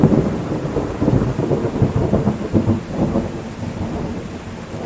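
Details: Heavy rain pattering steadily with deep rolling thunder rumbling throughout; no animal voices.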